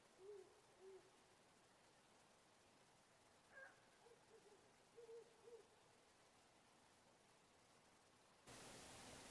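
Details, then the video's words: At 4:50 a.m. in a back garden, a great horned owl gives deep, soft hoots: two spaced notes, then a quicker run of four or five, followed by a brief higher sound and static. "THE GREAT HORNED OWL"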